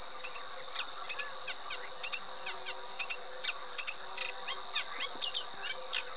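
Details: Eurasian reed warbler singing softly: a string of short, dry chattering notes at an uneven pace over a steady high-pitched whine.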